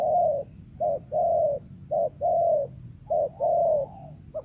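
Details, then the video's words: A wild spotted dove, its voice valued for luring, repeats deep mellow coos, each short clipped note leading into a longer soft coo, in a steady pattern. "TEKUKUR LIAR SUARA IDAMAN PEMIKAT"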